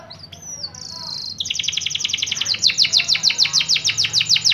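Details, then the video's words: Yellow canary singing: a few thin whistled notes open into a steady high trill, then loud downward-sweeping notes repeated about six times per second, growing stronger toward the end. "Kenari kuning mewah"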